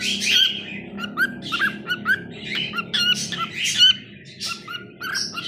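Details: Pet cockatiel singing at home: a run of short whistled notes, some rising and some falling, mixed with harsh squawky chatter and brief pauses, over a steady low background hum.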